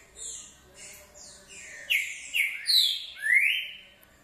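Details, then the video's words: Green-winged saltator in short song, its loud slurred whistles swelling in the second half after softer high chirps from other birds at the start. "Trinca ferro canto curto"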